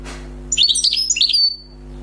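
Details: Wild European goldfinch, newly caught, gives a short, quick phrase of sharp chirps and buzzy twitters followed by a thin sustained whistle, against a faint steady hum.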